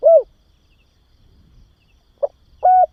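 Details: Spotted dove coos meant to train and stimulate young doves: an arched coo, a silent gap, then a short note followed by a level, held coo.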